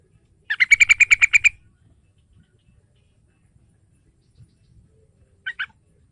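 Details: Rapid, evenly pulsed chatter of about ten notes from a yellow-vented bulbul, meant to coax a young bird into singing, followed by quiet and a faint two-note fragment.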